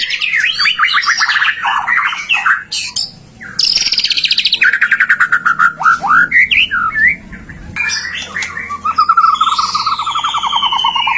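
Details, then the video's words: Prolific white-rumped shama song, used to prompt other shamas into singing: sweeping whistled notes, a long rapid trill, and rising and falling slurs in loud continuous phrases. "Suara murai batu gacor AMPUH buat PANCINGAN murai batu agar BUNYI"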